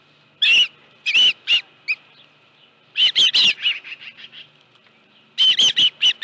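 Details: Osprey calling on the Dunrovin Ranch nest with a live fish, 25 July 2018, 5:23 PM. Scattered shrill chirps give way to a burst of loud, piercing notes, then fading softer whistles and a final rapid series.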